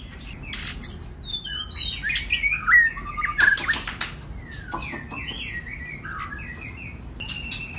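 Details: White-rumped shama song for provoking other birds to sing; a busy opening of sharp chips and whistles with faint wing flutters, fading into softer, drawn-out whistled phrases.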